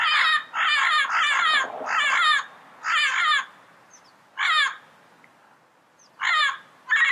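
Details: Wild yellow-headed parrot giving loud, rasping squawks, first in a rapid cluster of five, then three spaced single calls with longer silences between.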